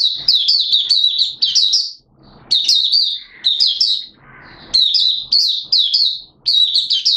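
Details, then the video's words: High, rapid twittering phrases from a caged Malaysian oriental white-eye in minor moult, bursts of chirps broken by brief rustling gaps, recorded 02 April 2023. "Malaysian Mata Puteh Buka Sing"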